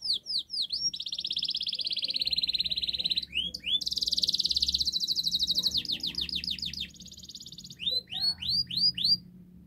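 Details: Canary in full song, used as a master recording to get a silent canary singing: long buzzy rolls, high rapid trills and repeated rising whistled swoops, delivered almost without pause.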